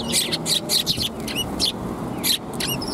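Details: Several sparrows at a Tenmangu shrine on 9 December 2021 give rapid bursts of bright, scratchy chirps, about six clustered in the first second and more after a short pause, mixed with thin slurred notes.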